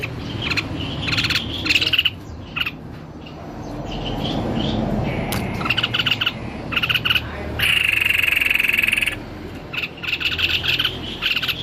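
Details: White-necked babbler singing actively: scattered groups of quick, scratchy chattering notes, then a continuous rattling trill lasting over a second, and more chatter afterward.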